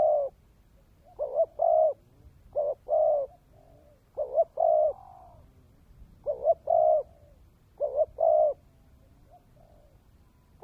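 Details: Cooing spotted dove kept as a decoy: repeated low, hollow phrases of two or three short notes and a sustained coo, some ending in a soft fading tail note, with quiet pauses.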